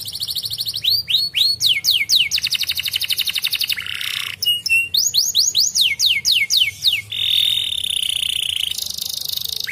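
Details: Canary singing, used to stimulate other canaries to sing: bright tours of quick repeated whistled notes, a rapid trill, a buzzy rattle, then more swooping upslurred syllables and a thin high trill.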